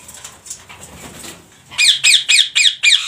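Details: Rose-ringed parakeets in a colony, harsh squawking calls in a rapid series of five about every quarter second in the second half, preceded by quieter low rustling and faint chatter.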